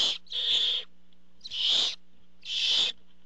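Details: At the nest, barn owls greet the father bringing food with three drawn-out, breathy hissing screeches spaced about a second apart over a low background hum.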